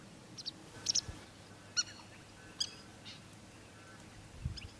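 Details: Citrine wagtail giving sparse, harsh, buzzy calls: short scratchy bursts spaced irregularly about a second apart, with faint high chips between them and a low steady hum underneath.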